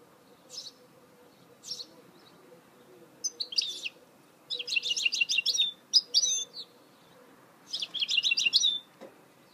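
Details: Goldfinch hybrid (mule) singing, recorded in 2018: separate bursts of rapid, high, twittering notes, some short and some lasting a second or more, broken by pauses, over a faint low steady hum.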